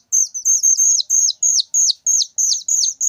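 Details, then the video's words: Whistling thrush chick calling very loudly, giving a steady series of sharp, high-pitched notes that flatten and then drop at the end, roughly three each second, against silence. "suara anakan burung ciung Batu sangat nyaring"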